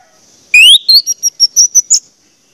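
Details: Lure song of an orange-headed thrush meant to set other thrushes singing: a long rising whistle, then a series of short, high, sharp notes repeated rapidly, with a faint steady high hiss behind.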